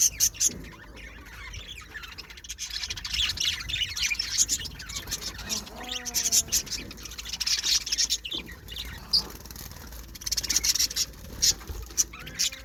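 Budgerigars chatter with dense, scratchy high chirps and warbles, and a brief rising squeak now and then.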